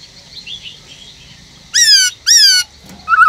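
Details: {'text': "Black-throated laughingthrush kept in a cage, giving 'forest voice' song to prompt other birds to sing: two strong, drawn-out whistled notes close together, followed by the start of a fast trill."}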